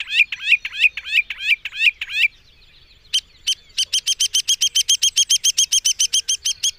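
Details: Mockingbird (cenzontle) song: a run of repeated looping chirps, then after a pause a fast, even series of sharp high notes delivered several per second, with quiet surroundings.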